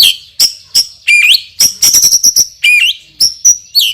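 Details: Loud, strong white-rumped shama, a champion with a very sharp song fill: high clipped notes and clicks repeated every few tenths of a second, with a few looping whistled phrases.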